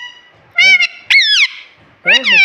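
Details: Pet rose-ringed parakeet talking, mimicking words such as "mummy" and "mitthu": three short, loud, tonal bursts with rich harmonics, rising and falling in wavering arcs, separated by brief pauses.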